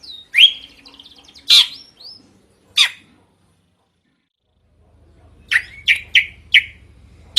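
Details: Drongo in full, loud and varied song: a rising whistle at the start, then sharp harsh bursts and a few short notes, a quiet pause, and a quick run of four clipped upslurred notes near the end.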